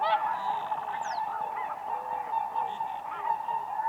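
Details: Whooper swans dancing on ice on a lake in spring, a dense chorus of overlapping honking, trumpeting calls, many birds calling at once without pause, with one brief high downward squeak.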